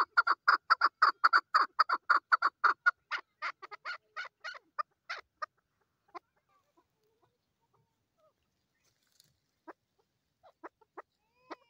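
A female chukar gives a rapid run of harsh clucking notes that slows and thins out, then a few scattered single clucks after a pause.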